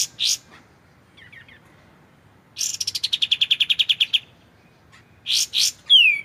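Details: White-shouldered triller, clear voice for magpie-robin training: opens with two rasping notes, then a long fast rattle of some fifteen chirps slowing slightly, ending with buzzy paired notes and a falling whistle.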